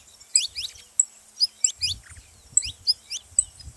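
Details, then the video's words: Saffron finch calls meant to get a canary singing: sparse, clear high chirps and short down-slurred whistles spaced out unevenly, with faint low thumps. "canário da terra pra foguea seu canário frio"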